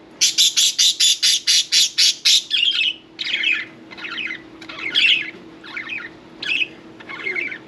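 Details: Pet budgerigars around a bath give nine fast, sharp, high chirps in a steady burst, then loosen into scratchy, warbling squawks of uneven length.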